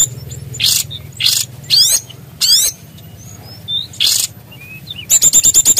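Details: {'caption': 'Small Bali Brown-chested Jungle Flycatcher: harsh noisy bursts and rapid downward-sweeping buzzes with soft short whistles, closing in a quick run of bright repeated high notes.'}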